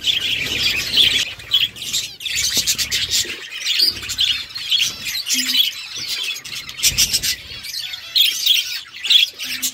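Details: Budgerigars, a mother feeding chicks: continuous high, scratchy chirping and warbled chatter with brief clicks and pauses, busy and unbroken over ten seconds, plus a faint low hum.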